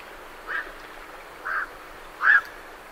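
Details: Three short, hoarse calls from night herons leaving a roost, the last one loudest, recorded at medium close range with great reed warblers in the background.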